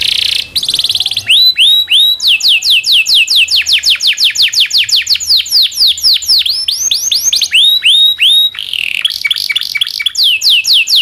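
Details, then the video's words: Domestic canary singing a long master song used to train other canaries: fast repeated downward-sweeping whistled notes, shifting between trill phrases and rising upslurred notes, with brief buzzy rolls, continuous and loud. "SUARA BURUNG kenari gacor cuit cuit ngerol panjang ini buat MASTERAN KENARI dan PANCINGAN KENARI"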